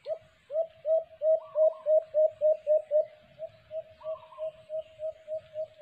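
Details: White-eared brown dove, locally called alimokon, recorded during cage-trap bird hunting: a long series of short, low hooting coos, about three to four per second, slightly rising then level, with faint higher chirps from other birds.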